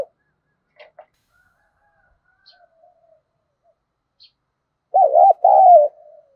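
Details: Decoy spotted dove used to lure wild doves, said to be in the "thổ sấm" voice style. Scattered soft faint notes come first, then near the end one loud, throaty, wavering two-part coo, with a fainter trailing note.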